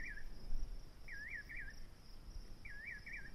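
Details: Nightjar giving wavy, whistled double and triple notes that rise and fall, in three short bursts over a few seconds, above a steady high insect drone and low rumbling background noise.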